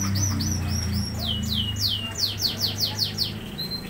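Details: A mated pair of captive lovebirds in Bandung gives shrill, descending chirps that start sparse and speed up into a quick run of repeated squeaks, over a low mechanical hum.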